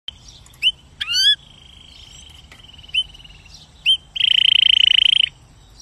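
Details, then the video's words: Canary song: sharp upward-sweeping whistles and a long, steady trill, then clipped chip notes, ending in a loud, rapid buzzing roll held for over a second. "голос канарейка звук канарейка"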